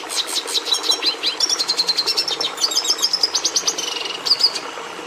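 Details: Continuous high-pitched red siskin (Carduelis cucullata) song of rapid pulsed trills and twittering notes, a steady rattling stream that shifts into brief whistled and buzzy phrases near the end.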